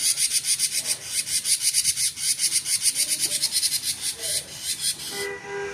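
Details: Gacor konslet song of a cinereous tit: fast, grating high pulses strung together without a break, ending abruptly as a faint lower tonal hum takes over at the close.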